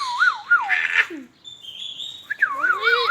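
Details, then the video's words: Ringneck parakeet said to be talking: wavy, warbling whistled phrases alternating with harsh, buzzy squawk-like sounds, a brief pause, then more quavering whistles with a rough overtone. "ringneck smart magical amazing sweet |king |parrot talking"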